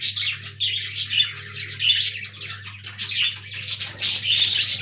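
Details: Talking budgerigars housed together in an aviary: busy high-pitched twittering and short squeaky notes crowd one another, while a constant low hum sounds beneath.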